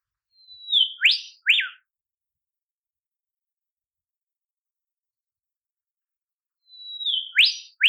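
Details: Olive whistler in Australian temperate forest: a thin level whistle easing downward, then two crisp upswept notes; after about five seconds of silence the same phrase repeats.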